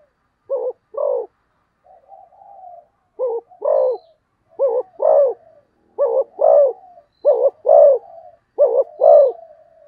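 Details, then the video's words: Fast cooing from a spotted dove. Low, rounded coos come in short-long pairs roughly every second, with a soft drawn-out murmur early on and faint trailing notes between pairs. "cu gáy thúc gù tốc độ"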